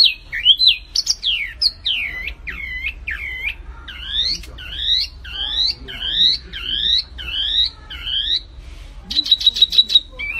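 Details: Lively flamboyan bird song of doubled whistled slurs repeated about every half second, closing with a fast rattling trill of high notes.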